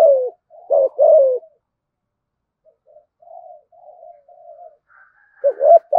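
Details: Spotted dove giving luring thúc gù coos to draw other doves: two loud coos, a long pause filled with a soft low murmur, then another rising coo alongside a thin higher tone.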